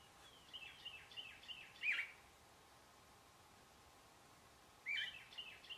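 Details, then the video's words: A group of least sandpipers scurrying along a pond edge give a quick run of thin, high, down-slurred notes, then sharper trilled bursts, over a steady background hiss. "Least Sandpipers"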